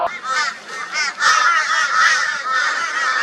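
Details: Flock of crows in Brisbane, Australia, 22 February 2022, joining forces against a barn owl: loud, harsh, nasal raucous calls in an almost unbroken run, about two a second, scolding and tormenting the owl.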